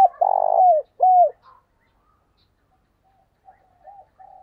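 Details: Spotted dove coo used as a decoy for wild birds: one burry drawn-out coo slurring down, then a short arched coo, followed by quiet, faint distant cooing.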